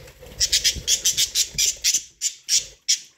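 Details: Pet budgerigars eating corn give a quick run of harsh, high, scratchy chirps, about six per second for two seconds, then a few spaced single notes, over a faint low background rumble.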